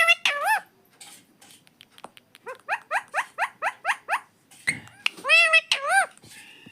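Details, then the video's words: Pet parrot talking: an opening wavering syllable, then a steady series of about eight short upward-sweeping notes. Two loud wavy harmonic phrases close the sequence. "parrot talking video"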